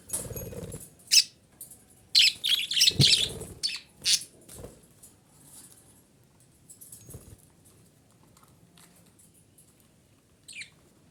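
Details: Female budgerigar, used to stimulate breeding, gives scratchy, buzzy chirp bursts in quick clusters over the first five seconds. After that come only sparse, faint chirps, with a short final burst near the end, set in a quiet indoor space.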